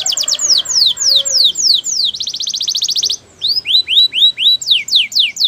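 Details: Canary training song: repeated descending notes, a fast rolling trill, then upward-curving whistled slurs and falling sweeps, loud and clear.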